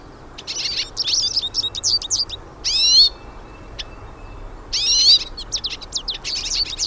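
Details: Hooded siskins singing in the wild: bright twittering phrases of quick high chirps broken by two loud buzzy, harmonic-rich wheezes about two seconds apart, in otherwise quiet surroundings.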